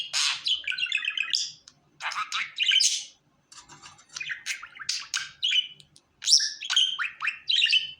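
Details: Happy pet budgerigar chattering in bursts of scratchy, buzzy chirps and quick warbled notes, some with stacked harmonics, broken by short pauses over about eight seconds in a quiet room.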